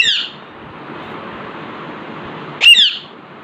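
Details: Indoor Alexandrine parakeet by a mirror: the tail of one squawk at the start, then after a pause a full harsh, ringing squawk with a whistled bend, over steady faint room noise.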